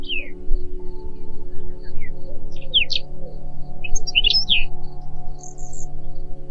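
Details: Whinchat singing short, broken phrases: falling whistles, quick steep up-and-down chirps and squeaky notes scattered across a few seconds with gaps between them, set over a steady low humming musical drone.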